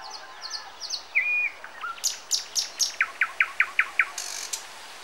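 A common nightingale sings a varied phrase: high thin notes, a pure level whistle, dry clicks, then a fast run of about eight repeated chirps ending in a high buzz.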